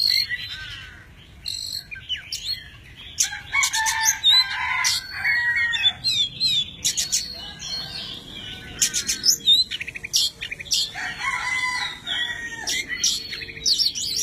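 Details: Tame Oriental magpie-robin singing a long, varied song of many voices while spreading its wings and fanning its tail: bursts of clear whistles, sharp chirps and scratchy trills in quick phrases with short pauses between them.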